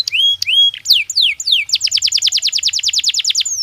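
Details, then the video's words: Breeding-season canary in a cage gives a few rising whistles and falling slurs, followed by a fast, even trill of sharp descending notes. "تغريد كناري طبيعي داخل القفص يساعد الطيور على الانسجام خلال موسم التكاثر"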